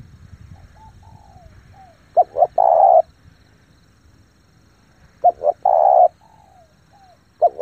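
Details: Calling lure spotted dove meant to draw wild doves: doubled short notes then a sustained mellow coo, repeated about every three seconds, soft descending whistles in the gaps.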